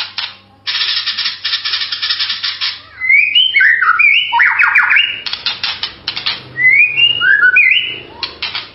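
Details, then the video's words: White-rumped shama in melodious song, alternating long harsh buzzing rattles with short sweet whistled flourishes that rise and fall, then more rattles and a closing group of whistles. "MASTERAN MURAI SUARA MERDU"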